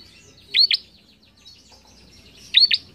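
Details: Bar-winged prinia, recorded as training song for young cage birds: two bursts of bright, sharp paired chirps about two seconds apart, with quiet twitters between.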